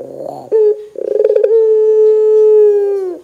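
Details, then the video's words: Barbary dove in 'gacor' form, calling to prompt other doves: a brief note, then a fast pulsing roll running into a long, smooth, low coo that slowly fades and drops at the end. "suara PUTER gacor Bikin PUTER Lain dengar cepat IKUT BUNYI"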